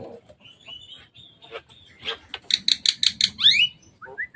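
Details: Wild Javan myna on top of a cage: soft whistles give way to a loud series of six harsh buzzy rasps, then upward-sweeping squeals and brief rising whistles.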